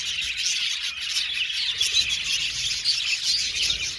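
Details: Budgerigar colony kept in an aviary, many birds chirping and warbling together in an unbroken, bright chatter with occasional squeaky notes.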